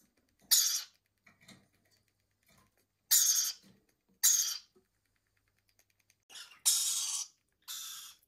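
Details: Hand-fed baby lorikeet chicks give harsh, rasping screeches in short bursts of about half a second, spaced irregularly every one to two seconds, with faint clicks between.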